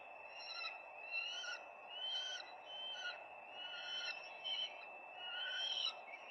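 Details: Peregrine falcons at the nest on 4 May 2025 give a steady run of harsh, nasal, chattering call notes, roughly one each second, layered over continuous background hiss.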